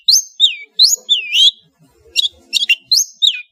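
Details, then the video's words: Madura long-tailed shrike singing varied phrases of high downslurred whistles, then sharp clipped chips and tight pairs of notes, with a short pause midway. "SUARA burung CENDET GACOR master full variasi | ASLI cendet MADURA GACOR DOR"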